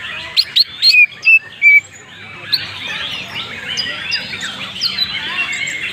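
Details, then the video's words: Greater green leafbird from Banyuwangi with a richly filled 'isian' song: several loud sharp whistles and short slurred notes, then a softer, continuous jumble of chattering twitters over steady background noise. "cucak ijo BANYUWANGI ASLI isian mewah"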